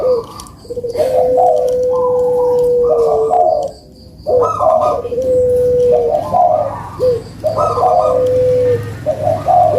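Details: Steady, throaty cooing from puter doves, used as a prompt for lazy birds, repeating in long phrases with sustained flat tones and short pauses between bouts.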